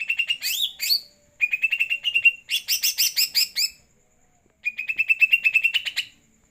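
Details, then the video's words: Greater green leafbird singing softly following a night bath: a swooping whistle, then repeated bursts of fast, high, stuttering chips separated by short pauses. "C.hijo,gacor tipis2 hasil dari mandi malam.."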